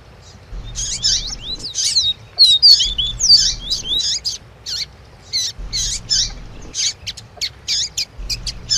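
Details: Double-collared seedeater (Sporophila caerulescens) singing a rapid, high twittering 'tui tui' song of sweet whistles and buzzy notes, with sharp female chirps between phrases, a female call used to rouse the male.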